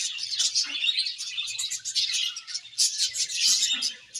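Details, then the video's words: Budgerigars of a happy colony chirping together, a steady dense wash of high, raspy twitters and sharp squeaks with loud peaks near the end. "Budgies Happy Colony Chirping Sounds"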